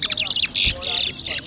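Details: A brief, intense rush of high buzzy twittering comes from a towa towa seed finch singing in a 2023 whistling competition in Berbice, Guyana, with one dull thump midway.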